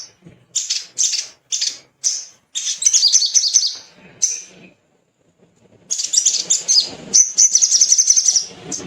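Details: Male little spiderhunter in full song, meant to stimulate other birds to sing: bright, high chip notes, then long rapid trills, a brief silence and another sustained high chatter.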